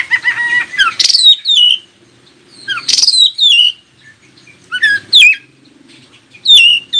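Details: Oriental magpie-robin singing to trigger replies from other magpie-robins: a buzzy trilled opening, then loud downward-sweeping whistles in clusters roughly every two seconds, with a faint low hum beneath.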